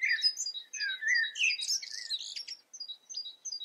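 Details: Eifel goldfinch delivering a fast, jumbled twitter of buzzy, slurred and chattering notes, ending in scattered high, thin chips.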